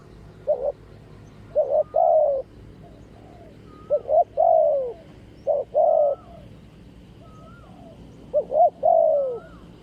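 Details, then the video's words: Spotted dove decoy trapping, a wild bird answering the decoy; repeated phrases of clipped notes and longer falling coos every couple of seconds, with fainter overlapping coos from a second bird. "นกป่าดุมาก เสียงดี มีคารม มีเปลี่ยน มีหนุน"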